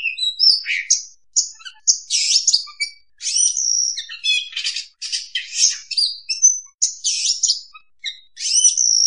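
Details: Kacer, the oriental magpie-robin, singing a trapping lure: continuous high, varied phrases of sharp whistles, rattly buzzes and chirps in rapid, uneven succession.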